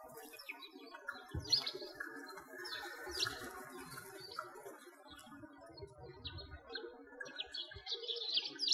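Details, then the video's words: Sparrows singing in winter beside a frozen lake in Bratislavsky Park, Moscow, Russia: short, bright chirps and twitters in scattered bursts from several overlapping birds, with soft footsteps and a low outdoor hush. "Sparrows singing"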